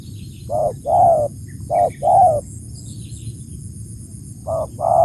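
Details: Spotted dove giving its coo: short introductory notes, each followed by a longer burred coo, in uneven pairs. A continuous high-pitched buzz is faint in the background.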